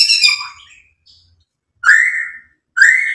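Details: White-rumped shama singing to provoke other birds: a descending whistled phrase, then two separate loud, rising slurred whistles with a buzzy edge, each about half a second long.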